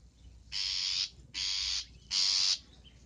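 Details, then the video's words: Long-tailed shrike lure sound: three long, scratchy, rasping calls in quick succession, each about half a second, separated by brief pauses over a low steady background hiss. "Suara untuk pikat Pentet"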